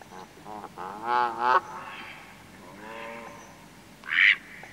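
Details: A male Mallard gives low, nasal, rasping flight calls at close range, a quick pair then a softer drawn-out one as it flies off into the distance, followed by a sharper higher call; a Canada goose and a coot are also present.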